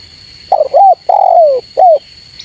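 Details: Spotted dove call used to summon rivals: a single three-note phrase of mellow, slightly rough coos, the middle one long and descending, the last short and arched, against a thin continuous high whine.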